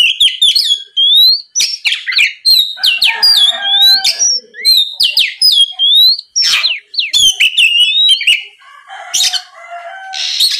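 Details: Lure song of an oriental magpie-robin meant to trigger rivals to reply: continuous, varied medley of high whistles, trills and scratchy notes in quick succession, with a rasping burst near the end.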